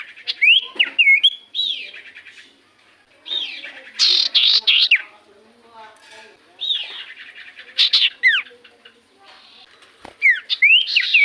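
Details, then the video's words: Common iora singing actively, used as a lure to prompt other birds to answer; clear whistled phrases with rising and falling slurred notes, mixed with buzzy, rapid bursts in separated groups across the recording. "Pancingan Burung sirtu cipoh gacor"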